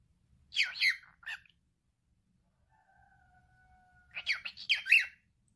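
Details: Talking male cockatiel, a pet bird: a short raspy phrase of three syllables, a soft steady tone, then a longer gravelly chattering phrase, with faint low room rumble.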